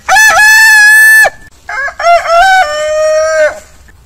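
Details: Domestic roosters from a compilation of long crows. One bright, even crow lasts about a second, then a second crow with stepped, warbling onset settles into a steady tone before tapering off.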